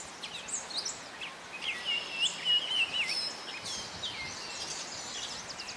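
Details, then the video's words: Gray Catbird, a male, singing at Morgans Point, a rambling run of squeaky, mewing and chattering notes, each phrase different, with faint high chirps from other birds behind. "Gray Catbird Song"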